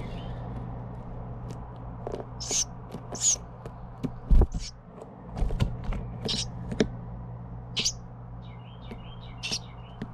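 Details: Baby Carolina wrens being fed by their parents give thin, high chirps in scattered bursts, about one a second, over a steady low hum with a few scrapes and thumps.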